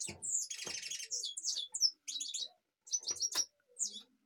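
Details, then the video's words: European goldfinch from Kashmir giving a quick high twittering song: tinkling, buzzy trills and chirps in short bursts separated by brief pauses, with scattered dull clicks underneath. "Goldfinch kashmir"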